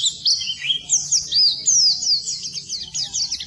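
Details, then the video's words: Oriental white-eye song used as masteran to coax non-singing birds into trilling; bright, fast chattering of high sliding whistles, several long downslurred notes, about two notes a second, unevenly spaced. "Suara Burung Pleci Masteran Pleci Full"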